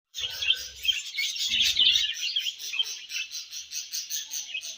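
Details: Budgerigars feeding and exchanging food, giving dense, fast warbling chatter of high twittering notes that runs without a break, with a few soft low thumps near the start.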